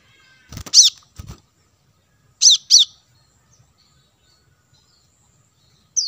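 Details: On lure audio for attracting wild birds, a plain-throated sunbird gives a pair of thin, high chips after a few low knocks, then another pair, and a final note starting at the end.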